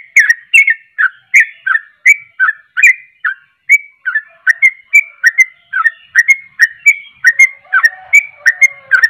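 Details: Lively sooty-headed bulbul song, a long unbroken chain of sharp, ringing whistled notes, alternately rising and falling, delivered about three per second, with a soft lower note in the background near the end.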